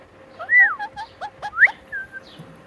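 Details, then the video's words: Talking pet parrot repeating "Mitthu"; a brief string of chattering, voice-like syllables with a swooping whistled note at the start and a rising whistle near the end. "Talking Parrot Mitthu Mitthu"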